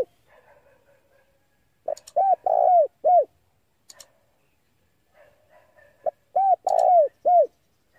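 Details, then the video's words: Male spotted dove calling, used as a lure for wild doves: a low cooing phrase of a short note, a longer rolled coo and a final coo, given twice about four seconds apart, with faint clicks and soft murmurs between. "pancingan suara burung tekukur jantan"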